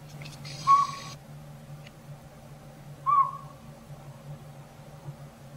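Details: A tiny Northern Pygmy-Owl in backyard woods, thought to have moved into an old sapsucker nest in a rotted hollow tree, gives two mellow whistled toots on one pitch about 2.5 seconds apart; an agitated squirrel nearby; low hum, brief rustle.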